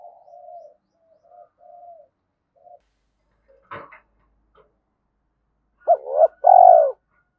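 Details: Spotted dove decoy calling, two-ending coo style: faint, soft low coos and a click at first, then two loud mellow coos close together near the end.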